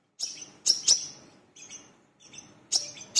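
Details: Brown-throated sunbird lure call, the bird known locally as wiceh or manggar: a few loud, sharp high chips mixed with softer thin squeaks, separated by short gaps.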